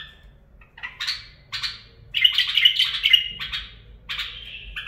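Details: Bulbul performing barwaz and mfaraah phrases: short bright chirps separated by pauses, then a loud burst of quick, sharp notes around the middle, ending with more spaced chirps.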